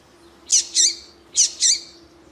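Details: Female Coleiro tui-tui calling to warm up a male for contests: two pairs of loud harsh high chip notes about a second apart, over a faint steady low hum.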